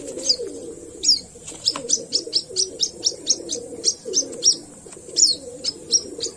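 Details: A white-breasted waterhen chick, found at dawn, repeats sharp high cheeps about twice a second against a murmuring, low-pitched background noise.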